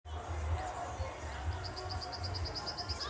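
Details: A Southern beardless tyrannulet (Camptostoma obsoletum) gives a quick run of thin, high, evenly spaced notes, about fourteen in a second and a half, over heavy low thumping and background noise.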